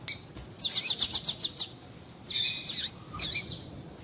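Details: A calling female double-collared seedeater used to stir males to sing. A quick run of about seven bright, high chirps is followed by two longer, buzzier, scratchy notes.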